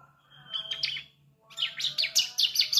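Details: Juvenile bar-winged prinia (ciblek) practising its song, a lure to prompt adult birds to sing: a thin buzzy phrase, a brief gap, then quick, high, sharply rising chirps in a tumbling series over faint low hum.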